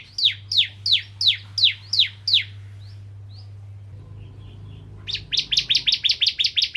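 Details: Energetic song of a kristal-type bar-winged prinia, played to lure other prinias into singing: seven high, descending chips, a pause of about two seconds, then a faster burst of shorter, sharper notes. A constant low hum runs underneath.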